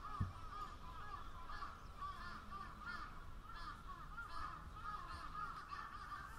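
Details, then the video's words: Crowd of crows producing continuous overlapping caws, nasal and grating, a sharp click at the start and low rumble throughout. "Crows' Chorus"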